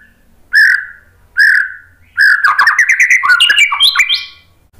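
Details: Lure song of a white-rumped shama meant to make birds answer: two loud, slightly harsh whistled notes, then a fast tumbling series of varied chirps and whistles climbing higher toward the end.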